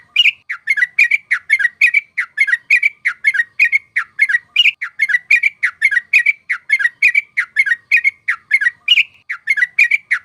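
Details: A sooty-headed bulbul's lure song for trapping birds, long unbroken run of bubbly, chattering notes at a fast even pace, loud and clean throughout.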